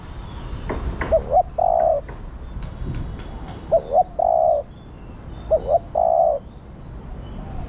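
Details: Female spotted dove urging the male to respond. Three low cooing phrases, each made of two short hoots and a drawn-out steady coo, repeated about every two seconds over a quiet background.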